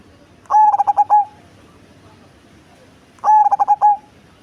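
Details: Deep-voiced, big-bodied cemani zebra dove sings two matching phrases, each a fast string of stuttered cooing notes closing on a sustained tone, roughly three seconds apart.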